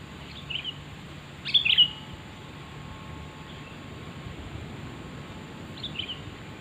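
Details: Sooty-headed bulbul call used to lure birds: a faint chirp, then a loud rich bubbling phrase, later a softer repeat, over faint steady hiss.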